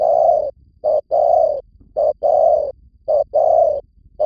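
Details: Spotted dove call used as a lure in Vietnam: low, rounded coos in pairs, a short note followed by a longer steady one, repeating about once a second with brief silences between.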